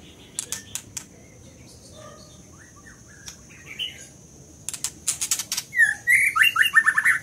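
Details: Scarlet minivet: scattered clicks and soft notes over a steady high hum, ending in a lively run of loud, rapidly repeated slurred whistles.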